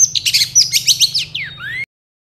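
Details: Long-tailed shrike song used to provoke lazy birds into answering and singing: a quick burst of scratchy high chirps followed by a few clear downslurred whistles, over a steady low hum.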